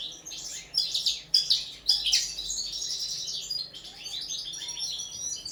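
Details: Caged linnet at its first training for table singing, several sharp loud chirps followed by a fast chattering, trilled twitter that runs on steadily.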